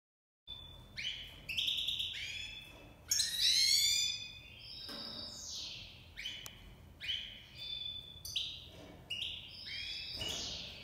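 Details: Tame Iranian goldfinch, a Himalayan and black-headed cross, singing in breeding season: a fast, varied run of bright tinkling notes, twangy down-slurs and short buzzy trills, with brief pauses between phrases.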